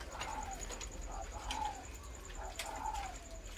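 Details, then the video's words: A spotted dove standing near the camera coos: soft, low, slightly falling coos repeated about every second, over a man talking and a thin, steady high-pitched whine. "Còi, nhìn thấy còi rồi, đã nhìn thấy con còi đang gù rồi."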